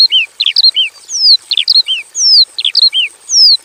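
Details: Javan bush lark singing in a simple aviary, a vigorous full song with inserted phrases: high sharp chirps in pairs, downslurred notes and long descending whistles, repeating in a loose cycle, with a faint steady high hiss behind.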